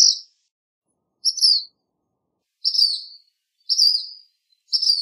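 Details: High, thin, downslurred notes from a black phoebe, five in all, some buzzier and longer, given irregularly over five seconds with a clean, quiet background.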